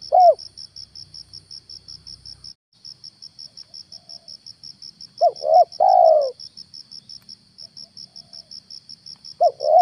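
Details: Spotted dove used as a lure to draw wild doves down, morning: scattered fragments of cooing, paired hooked coos at the start, middle and end and one longer coo, amid fast cricket pulsing that briefly stops.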